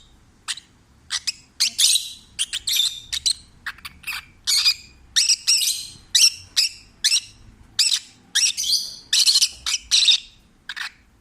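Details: Peach-faced lovebird, a rescued household parrot, singing in a relaxed, happy mood: steady series of harsh, squeaky chirps and buzzy notes, roughly two per second, varying in length.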